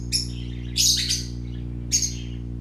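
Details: Colourful young parakeets at play make a quick chirp, a drawn-out grating squawk in two parts, and one final sharp note, with steady low hum behind.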